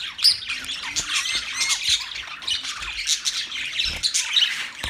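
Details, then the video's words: Budgerigars chirp and squawk in a lively mix of short high notes and rising squeaks, steady throughout with soft thumps in the background. "Budgies chirping sound"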